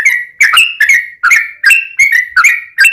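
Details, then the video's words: Short burst of yellow-vented bulbul song used to prompt other bulbuls to answer: quick, rising and falling bubbly whistles tumbling one after another. "trucukan gacor TARUNG ROPEL PANJANG pancingan trucukan agar bunyi"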